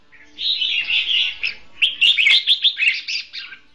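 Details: In a Vietnamese bird-trapping setting, a red-whiskered bulbul gives a bright, warbling competitive song: first a running chatter, then about eight quick, rich notes, each roughly a third of a second apart.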